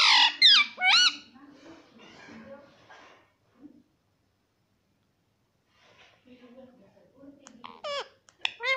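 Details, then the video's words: A pet parrot indoors imitating the word "Mummy": loud, bright, warbling syllables open the recording and return near the end, separated by several seconds of near silence and faint low murmuring. "Mummy Bolne Wala Tota"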